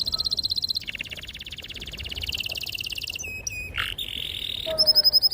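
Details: Canary in full, long rolling song, clear and sharp, used to stir young canaries into singing. A high buzzy trill gives way to a lower rapid roll, then piercing whistles and a sharp fast chatter near the end.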